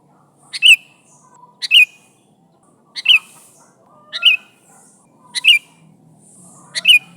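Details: Calling sooty-headed bulbul summoning its companions: a short paired chirp, a quick tick then a bright slurred whistle, repeated about every 1.2 seconds, six times, with a faint low hum in the background.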